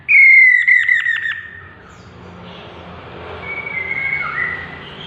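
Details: A chestnut-capped laughingthrush starts with a loud, descending whistle that breaks into rapid pulses. Fainter wavering whistles trail off in the quieter second half.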